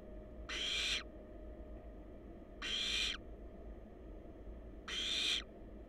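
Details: Barn owl babies in a wild nest box filmed by a live cam give three long, noisy, breathy hisses, each near half a second, separated by about two seconds, over faint steady electrical hum.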